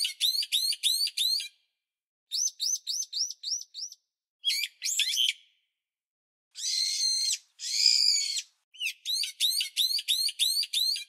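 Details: A bulbul crying: runs of sharp, rising chirps at about four per second, broken by short pauses and by two harsher, buzzy rasping bursts near the middle. High-pitched and clean, with no other sounds.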